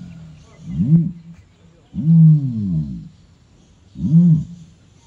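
A male ostrich gives three deep, resonant booms about two seconds apart, each a low hollow roar swelling and fading, with a faint background hum.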